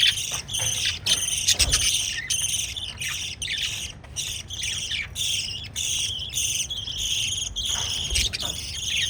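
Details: Pet lovebirds feeding chicks and kissing give harsh squawks and rapid high chirps in bursts, with brief silences between clusters across nine seconds.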